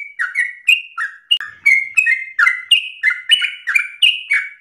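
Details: Lively sooty-headed bulbul delivering insistent ropel song, meant as training bait for other songbirds: quick chirpy notes alternating higher and lower pitches with downward slurs, roughly three a second, clean background.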